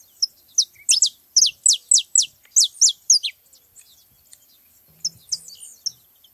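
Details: Saffron finches gathered at a feeding spot: a quick series of about ten loud, high, downward-sweeping notes, followed by quieter scattered chips.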